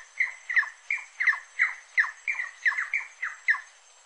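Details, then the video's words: Harsh, clipped squawks of a rufous-necked wood rail, about ten sharp falling notes spaced roughly every third of a second, with constant faint hiss in the background. "CANTO DA SARACURA-DO-MANGUE"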